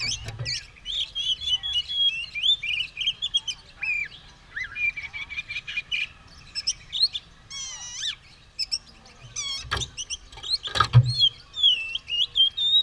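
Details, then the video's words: Oriental magpie-robin singing hard, ready to fight with spread tail: a long run of varied whistles, scratchy trills and quick ticks, with two loud thuds in the second half. "Burung kacer siap tarung buka ekor gacor"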